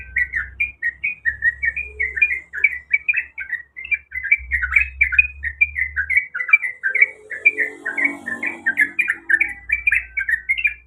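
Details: Female sooty-headed bulbul calling to the male with a steady, rhythmic chain of short bubbling two-part notes over eleven seconds, with low hum and faint soft noise in the background.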